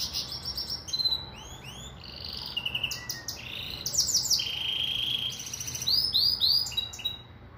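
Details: Pintagol, a captive hybrid of a Venezuelan siskin and a female Belgian canary, sings a lively, high-pitched song of rapid sweeping whistles, buzzy trills and repeated chirps in quick bursts over a steady low background hum.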